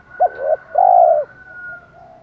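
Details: A spotted dove decoy bird calls in the 'thổ' style to attract wild doves: a single phrase of two short coos and one drawn-out coo, over a thin continuous high whistle.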